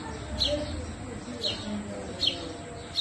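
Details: House sparrow chicks being fed by their mother: short, bright, downward chirps repeated about once a second, with low background rumble.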